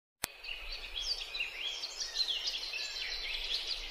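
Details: Chestnut-tailed starling in Bogor giving a continuous jumble of high, squeaky chirps and warbled notes, steady throughout, over a faint background hiss.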